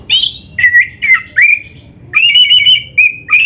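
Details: Oriental magpie-robin (kacer) pouring out a dense 'isian' song of loud whistled and slightly harsh notes, some rising, some level, in clustered phrases with a short pause midway.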